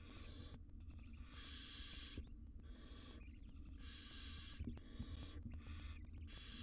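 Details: Wild barn owl mother grooming tiny chicks in a monitored nest box; rasping hisses of varied length come in irregular bursts, with faint clicks and a soft low hum beneath.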